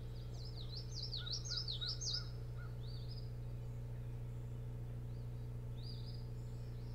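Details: Night calls from an Osprey at the Boat House nest, Hog Island near Bremen, Maine, 24 June 2018: a rapid wavering series of shrill up-and-down whistles, then a few shorter whistled notes, with a constant low hum throughout.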